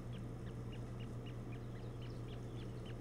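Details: Osprey at a nest holding its first two newly hatched chicks, the female brooding them under her belly, captured by a live nest camera: a series of short, upslurred whistled chirps, about three per second, over a steady low electrical hum.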